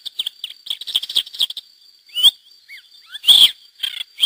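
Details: A pair of wild lesser grey shrikes and their chicks, released by hacking in 2009, Lleida, Spain; brief scratchy chatter, then scattered slurred whistles and a loud rasping note, against a steady faint whine.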